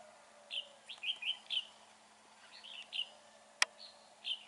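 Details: Red-whiskered bulbul in a fighting trap on an overcast, gloomy day: short bright warbled phrases, each under a second, rising and falling, repeated with pauses, plus one sharp click.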